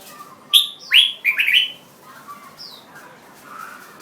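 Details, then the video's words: Red-whiskered bulbul (jambul bird) singing: a quick run of loud, clear whistled notes, some sliding up and down, packed into about one second, followed by softer, fainter notes and a brief high upslurred whistle. "Jambul Bird Singing"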